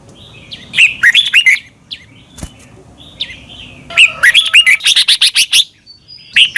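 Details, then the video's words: Caged-bird training recording of a Red-whiskered bulbul from Thailand: a short whistled phrase, a pause, then a longer run of quick chirpy notes rising and falling, with a sharp click in between. "นกกรงหัวจุก. นก - 30 นาทีทุกเช้า เพื่อให้นกเรียนรู้ที่จะพูดได้อย่างรวดเร็วและหนักแน่น"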